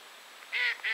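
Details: Eurasian wigeon, recorded in Poland, giving two short whistled notes, the first longer and clearer, the second brief, over a quiet background.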